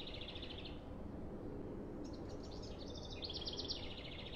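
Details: Male House Wren dawn song from Albion, Michigan research: rapid, bubbling chatter of high trills in two bursts, the first about 1.5 s, the second about 2.5 s when trying to attract a new female, over low rumble.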